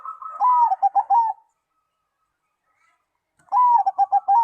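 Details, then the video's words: Song of a zebra dove that other doves respond to; a drawn-out descending coo breaks into a string of short rhythmic notes, followed by silence and then a second phrase. "perkutut lain langsung nyaut dan gacor bila mendengar suara perkutut ini"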